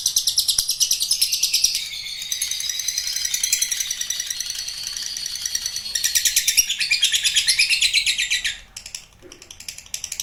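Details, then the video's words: Lovebird delivering a long chattering trill, ngekek panjang: high rapid pulsed notes fading to a softer stretch, then rising loud again before breaking off into quieter scattered sounds near the end. "Love Bird Ngekek Panjang"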